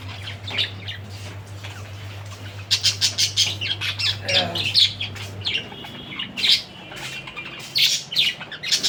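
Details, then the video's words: Budgerigar chatter: fast trains of shrill chirps and harsh squawks in several bursts; a steady low hum runs through the first half, then stops. "BADRI PAKHI || BIRD NEW SOUND"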